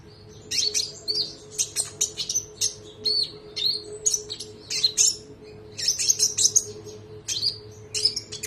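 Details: Trotol konin in full song for bird training, with sharp whistled shots and chattering phrases in rapid bursts, some rising and falling sharply. A constant low mechanical hum is heard throughout.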